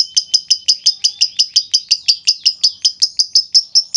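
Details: Lovebird calling as a lure for other lovebirds: a steady, evenly spaced series of bright high chirps, about three each second, throughout.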